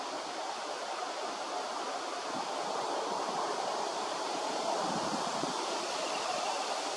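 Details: Steady roar of surf and wind with no animal calls.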